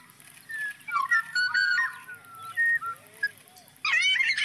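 Black-naped oriole giving loud, fluty, liquid whistles in short varied phrases, ending in a denser burst of mixed notes.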